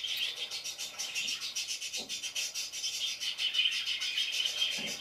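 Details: Several parakeets chirp in a busy flock chorus, rapid pulsed high twitters running almost continuously, with faint low rustles now and then.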